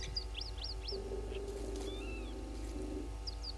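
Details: Red-billed buffalo weavers at Gowrie dam waterhole, Djuma Game Reserve, Sabi Sand Wildtuin, South Africa, at 07:22 on 31 August 2021. Sharp, high, upslurred chirps come in a quick cluster, then fainter notes, over a steady low electrical hum.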